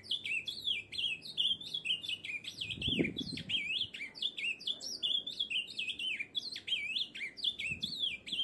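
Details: Ultramarine Grosbeak (azulão), a Brazilian songbird, sings a fast, continuous warble of sweet, slurred whistles that rise and fall without pause; a brief low thump near the middle.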